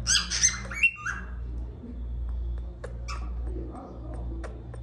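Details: A young cockatiel chick in whistle training gives a quick run of bright, squawky whistled notes, then a few short chirps, over a low indoor hum.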